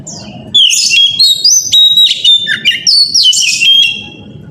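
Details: Morning song of an Oriental magpie-robin used as a lure so other magpie-robins answer. Energetic, varied phrases of clear whistles, rising slurs and buzzy chatter, repeated in quick succession over a low hum.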